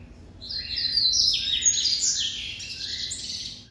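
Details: Captive white-collared seedeater, classic song: a dense, loud, continuous stream of high whistled and buzzy notes, rising then gently falling, lasting over three seconds before stopping abruptly.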